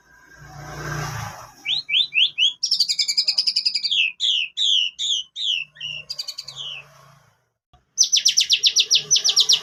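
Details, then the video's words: Lure song of a white-rumped shama carrying canary phrases: a soft rustle, then long runs of rapid, sweet repeated notes, a brief silence, and a final quick rattling canary-like trill. "MURAI BATU ISIAN KENARI ¦ PANCINGAN MURAI ¦ SHAMA BIRD"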